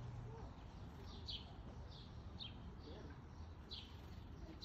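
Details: Black-capped chickadee at a backyard bird feeder in Calgary, Alberta, at midday on July 6, 2021; thin, high, downslurred notes come singly about every half second over a steady low hum.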